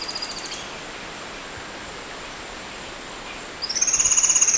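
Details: Oriental magpie-robin recorded in the wild, singing a tembak-type song. A brief high whistle opens, then steady hiss, and near the end a loud, rapid burst of bright repeated whistled notes with a lower trill beneath.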